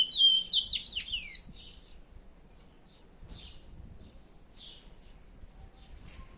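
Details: Pet curió opens with a short bright flourish of quick falling whistles, then drops to a few faint scattered chirps against quiet background.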